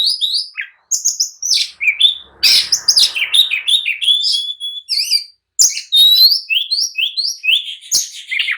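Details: Agitated oriental magpie-robin pouring out fast whistled phrases and rasping chatter to provoke a reply and a fight; one harsh noisy burst midway, a pause near five seconds, then bright repeated upslurs.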